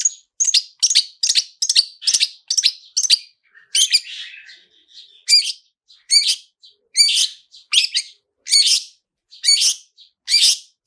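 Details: Long-tailed shrike "toet toet" prompting sound used to trigger singing: fast runs of sharp chirps, about one per second or quicker, broken briefly by a softer buzzy twittering passage before the sharp notes resume.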